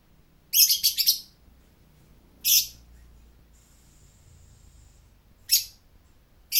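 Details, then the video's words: Lovebird giving its ngekek, a long continuous chatter: dense, harsh high-pitched chattering bursts, a rapid cluster then two shorter bursts separated by pauses, with a faint steady high tone between them. "Suara ngekek burung Lovebird"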